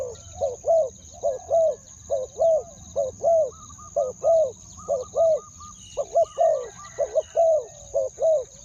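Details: Luring call of a spotted dove in two-word ku-ang pattern: a run of evenly spaced low double coos, the second note of each pair longer. Faint bird twitters and a steady thin high tone sit in the background.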